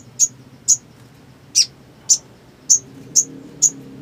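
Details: Black sunbird (Leptocoma aspasia), song.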